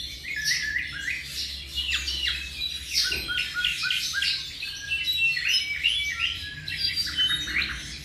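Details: A tropical mockingbird aged around 7 months sings a lively sequence of rapid downward-sweeping chirps and short trills, steady throughout.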